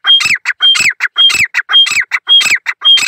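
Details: Single male grey francolin in the jungle giving its call, a steady train of loud repeated phrases about twice a second, each a clear high whistled note followed by grating, falling syllables.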